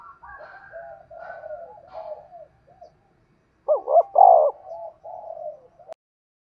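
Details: Decoy spotted dove kept for trapping wild doves, cooing in a calling and urging style: a run of soft, low, drawn-out coos, then a loud, rolling, two-part coo and a trailing softer coo, ending with a sharp click.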